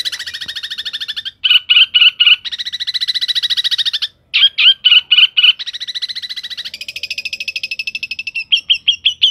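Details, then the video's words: Long-tailed shrike singing energetically with rich phrasing: rapid trains of high buzzy notes alternating with short groups of clear, separated chirps, broken by two brief pauses. "cendet gacor isiannya mewah banget"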